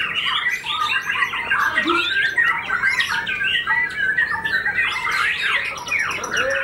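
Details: Murai batu (white-rumped shama), a competition bird with white tail feathers, just finished moulting and singing fiercely in fighter style; dense continuous varied song of rapid whistles, chatters and sweeping notes, with faint room background.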